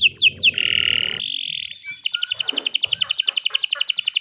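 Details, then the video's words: Canary song opening with a few swept whistled notes, then a steady buzzy tone and a sustained note, before a fast even trill of high doubled notes fills the rest. "Kicau Burung Kenari 165 II LUAR BIASA GACOR PANJANG Cocok untuk Masteran"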